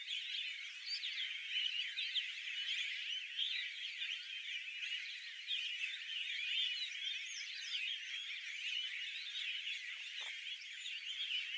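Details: Tristram's starlings at Ash Shafa, Taif, Makkah Region, Saudi Arabia, in a steady, overlapping chatter of bright, squeaky notes that runs without a break, as if from a busy flock.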